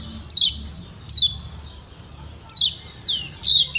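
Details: Lombok yellow white-eye, kecial kuning, with provoking "ciak ciak" calls: a few widely spaced, thin high chirps sweeping downward, the last ones louder and more looping.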